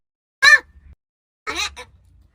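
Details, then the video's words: Talking crow from Gargaon village, Wada taluka, Palghar district, mimicking human words: two harsh, harmonic, word-like bursts about a second apart, each followed by faint low murmuring. "बोलणारा कावळा"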